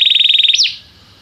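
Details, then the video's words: Belgian canary song used as singing training: a brief fast trill of evenly repeated high notes that breaks into one sharp up-and-down swoop, then fades away. "Estimulação para que o seu canário cante com diligência - o melhor treino para canário belga"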